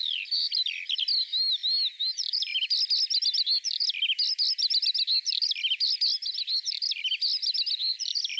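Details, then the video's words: Eurasian skylark song in spring, a dense, chattering warble of high twittering notes and trills, continuous, with a faint hiss behind it. "Kiurun / Leivon laulua | Skylark Singing"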